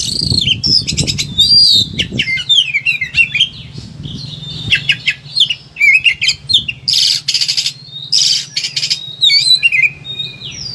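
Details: Agitated Oriental magpie-robin singing a long varied sequence used to train and provoke other birds: rapid clicking trills, sliding whistles and harsh buzzy rasps, with low rumbling thumps near the start and a constant low hum.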